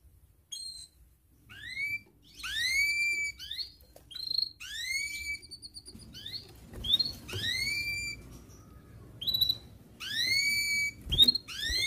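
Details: Canary singing in breeding condition to call a rival, a lure for young birds learning song: repeated rising whistled 'cuit cuit' notes about every second, with short high chips between, over faint background rumble.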